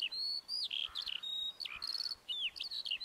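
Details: Lark pouring out sweet, high whistles and slurred notes that dip and rise, with short trills between, over a soft background hiss.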